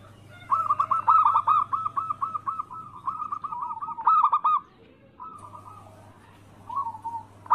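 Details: Local anggungan zebra dove cooing as a lure to set off rival doves: a long, rolling run of quick, mellow notes lasting four seconds, then a silent pause and a few shorter, quieter coo phrases, steady background hum throughout.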